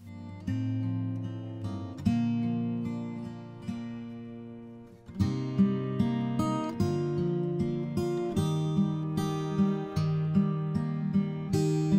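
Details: Strummed and plucked acoustic guitar music plays throughout, with no animal sounds.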